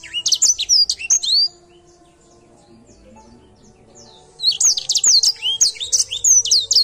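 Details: Edel Sanger canary singing actively, bursts of quick high sweeping chirps and slurred whistles, a silent gap of about three seconds, then another rapid burst of bright notes.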